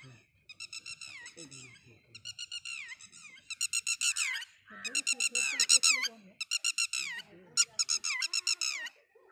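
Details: Red-wattled lapwing mother near St Mary's School, Mt Abu, sitting on eggs and calling her chick: a long sequence of shrill, pulsed note series, each run falling at the end, growing louder and more insistent through the middle.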